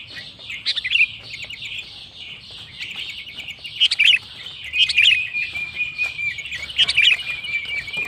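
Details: Sooty-headed bulbul (kutilang) in gacor song meant to provoke rival bulbuls: scattered sharp chirps over a steady high whistled tone and a constant hiss in the background.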